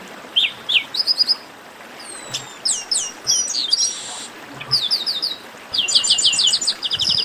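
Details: Garibaldi (chestnut-capped blackbird) esquenta warm-up: paired chirps, twisting whistled slurs, a harsh buzzy burst, then several quick runs of bright repeated falling notes in steady rhythm.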